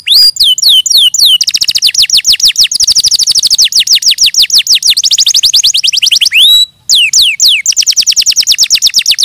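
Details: Canary delivering quick falling chirps, then a sustained rapid trill of sweeping notes, a short steady whistle, and more fast repeated sweeps.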